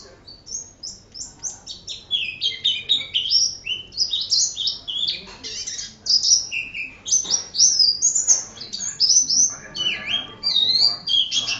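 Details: Oriental white-eye (pleci) singing energetically, kept for tutoring other birds: a dense, nonstop high twittering of quick chirps, short slurred whistles and rapid warbled phrases, with a faint low background hum.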